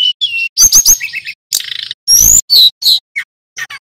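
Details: A male sulingan gunung from Pacitan sings in full voice: falling whistles, a quick triple of curling high notes, a buzzy trill, a long rising whistle, then scattered short chips fading out.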